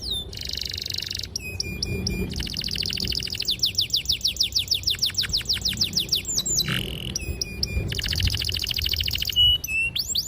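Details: Canary singing a long, sharp, clear song with extended rolling trills, intended to train young canaries: buzzy held trills alternate with fast series of sweeping notes and rapid repeated chips, nearly unbroken for ten seconds.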